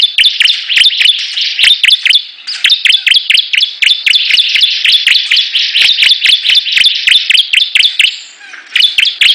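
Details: Bar-winged prinia birds competing in song: fast, loud, ringing notes delivered in dense, rapid bursts with sharp high clicks, continuous apart from brief pauses near the middle and the end.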